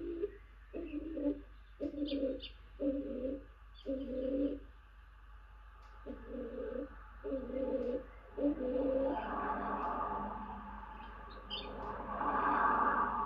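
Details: A stock dove, presumably male, alights on a tawny owl box where the hen owl incubates quietly. It calls incessantly with deep, hollow two-part coos, about one a second, then rustling, scraping and faint chirps, 28 April 2023.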